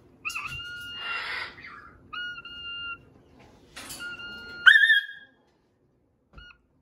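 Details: A pet macaw in its cage after dinner, reacting to its owner wearing a Darth Vader mask, gives several steady, clear whistled notes ending in a louder rising whistle, while a woman talks excitedly between them.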